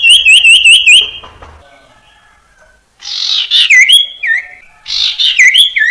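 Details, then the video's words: Song of a common iora, used to build up young ioras still learning to sing: five quick hooked whistled notes open, then after a pause harsh buzzy bursts mixed with swooping whistles. "Suara Burung Sirtu Cipoh PANCINGAN sirtu cipoh TERAMPUH"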